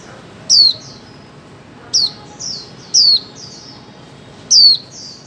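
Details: Female white-eye calling, used to stimulate silent birds to sing: loud, high, sharp descending whistled notes, each followed by a softer buzzy trill, repeated about every one to one and a half seconds over a quiet background.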